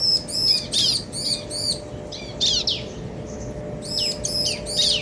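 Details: Male and female bar-winged prinias duetting: groups of rapid, high, ringing looped notes in short bursts, separated by brief pauses, with a faint steady hum underneath.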